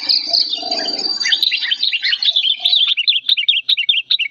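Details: Sooty-headed bulbul, an old bird singing in an emotional, raging state: soft scratchy sounds at first, then a lively series of sharp, bouncing notes repeated rapidly for nearly three seconds, clear and loud.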